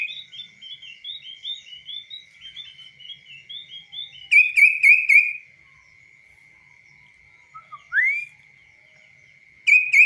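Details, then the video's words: Hand-tame kaso-kaso bird, trained to stay outside a cage, singing a varied twittering phrase, then four loud rapid chirps, a sharply rising whistle and a final chirp, with an unbroken high-pitched tone in the background. "BURUNG KASO KASO GACOR DI TANGAN TANPA SANGKAR"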